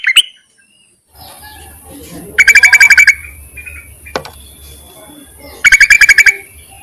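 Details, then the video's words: Yellow-vented bulbul calling to males, a sound offered as a trapping lure: two bursts of rapid, bubbly notes, six or seven quick pulses each, separated by a few seconds of quieter background chatter and a single sharp click. "BURUNG TERUCUKAN MEMANGGIL JANTAN COCOK JUGA UNTUK PIKATAN"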